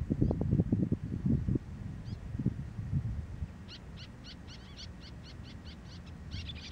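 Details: Javan plover sitting on its nest on the east coast shore near Surabaya. Loud low buffeting at first gives way to a rapid series of thin, high, clipped chirps, about two per second, in the second half.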